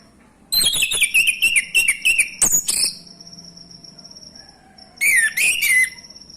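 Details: Lure song of a male orange-headed thrush, meant to set silent thrushes singing: a rapid series of slurred, descending whistled notes with sharp clicks, then a shorter warbled phrase near the end.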